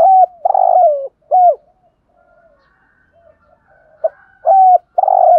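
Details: Loud 'thúc gù' coos of a spotted dove with 'Thổ' voice, a decoy for bird trapping. Rapid hollow notes, short and long, come in a cluster, fall quiet into faint murmurs, then return with another strong run.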